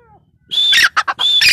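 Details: Female grey francolin (teetar) voice: a brief sustained high whistle leading into rough scratchy chattering notes, then another whistle beginning.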